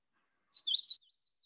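A Magnolia Warbler gives a brief, sweet, high-pitched warbled phrase of slurred notes lasting about half a second, followed by a few faint trailing notes.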